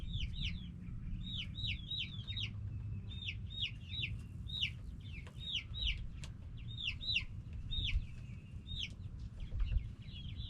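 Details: A flock of backyard chickens, hens and roosters, calls busily: clusters of sharp, high, hooked notes come in bursts with short pauses, over a low background rumble.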